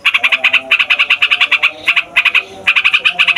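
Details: Long rolling song of a fighter yellow-vented bulbul, used to stir young or silent bulbuls into singing: fast, harsh, buzzy notes in clusters of four to eight, separated by short breaks.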